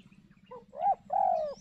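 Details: Spotted dove cooing during dove trapping in thick, overgrown cover: a short rising note, then a longer level coo, mid-pitched and mellow, over a steady low pulsing hum.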